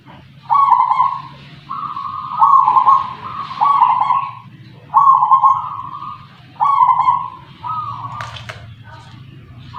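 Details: Zebra dove, a local wild bird from Tuban, East Java, reared from a punden and praised for its 'kung' voice. Mellow, vibrating cooing phrases come in quick succession, six or seven in ten seconds, with faint room noise beneath.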